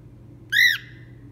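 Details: Indoors in winter, a hormonal female pet cockatiel at a window gives one harsh, ringing squawk at the snow, about a quarter-second long, arching up then dropping, over a faint low hum; Cockatiel.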